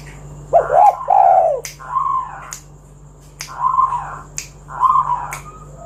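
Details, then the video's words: Spotted dove cooing to lure others into song: low, breathy coo phrases with a slight waver, interrupted by sharp, snapping clicks. "Tekukur Kuk 1 Gacor Suara Panggilan Burung Derkuku agar Bunyi Gacor Manggung"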